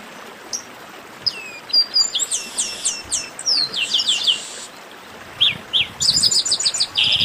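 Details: Chestnut-capped blackbird in an esquenta (warm-up) song: bright whistled upslurs and descending notes, then rapid clustered chirps and a buzzy burst near the end, with pauses between phrases.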